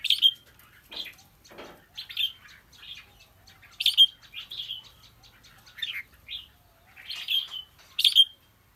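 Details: Fighting song of a decoy red-whiskered bulbul from Kim Bôi, Hòa Bình: loud, clear, whistled phrases of two to four notes, repeated every second or so, some with sharp sweeping upslurs, over a quiet background.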